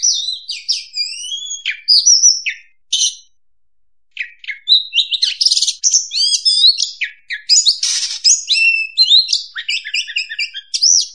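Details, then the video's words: Oriental magpie-robin (kacer) lure song: a rich, varied run of sweet whistles, slurred rising and falling notes and scratchy trills, with one brief pause. "suara pikat burung Kacer"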